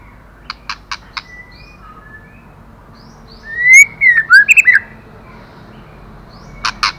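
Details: Sharp clicking notes open, then a rich burst of looping whistled phrases, rising and dropping quickly, from a female white-rumped shama stimulating the male, with more clicks closing the phrase.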